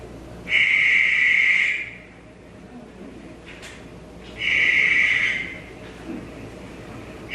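A Barn Owl gives two long, harsh, hissing screeches, each lasting over a second, about four seconds apart, over a low background hum.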